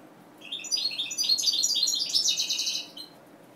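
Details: European goldfinch from a mutation breeding setup delivering a continuous tinkling, liquid twitter of rapid high notes, ending in a short buzzy trill, lasting about two and a half seconds.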